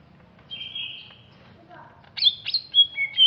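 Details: Greater green leafbird from Alas Purwo, Banyuwangi, East Java, a large bird: a long high whistled note, then a low soft phrase, then a burst of sharp clear whistles that slide down in steps.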